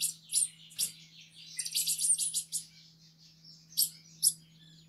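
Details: Soft, somewhat distant Green-headed tanager song: hissing high notes run together into a blurred trill, then two isolated sharp chips, with a low hum in the background.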